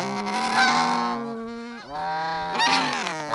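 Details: Snow geese nesting in the Arctic near a snowy owl's nest give loud, nasal, rasping honks, several birds overlapping in a noisy burst, then a brief lull before another round of calling.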